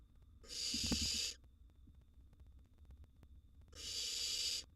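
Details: Barn owl nestlings, wild, in a nest box at feeding time as prey is dropped and one chick swallows a large gerbil. Two drawn-out, harsh hissing screeches about three seconds apart stand out over a quiet background.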